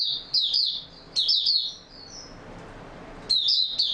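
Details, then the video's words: Oriental white-eye singing in open form on 28 February 2022: two quick twittering phrases of thin, high slurred notes, a few soft whistled notes, then a fresh loud burst. "Mata Puteh Raja Video 1 buka sing stable form"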